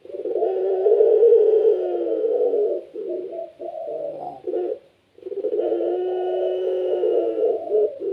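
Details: Low, throaty coos from a pelung Barbary dove, a caged bird whose busy song gets other doves to join in: a long rolling phrase, a string of short choppy notes, a silent gap, then another drawn-out coo.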